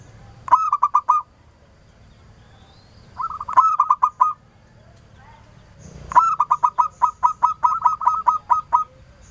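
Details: Local zebra dove in full song, used as a lure to spark answers: two short bursts of rhythmic stuttering coos, then a longer run of about twelve quick notes, with little background noise.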